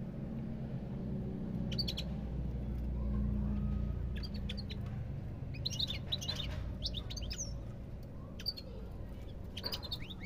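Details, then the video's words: European goldfinch song: scattered sharp tweets at first, then a busier burst of quick twittering notes, with a low steady rumble underneath. "تغريد طائر الحسون"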